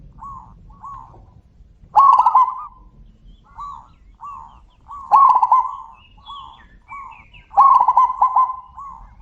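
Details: Loud zebra dove calls traded back and forth: three strong, rolling, stuttered coo phrases spaced about three seconds apart, with quieter short coos from another bird filling the gaps.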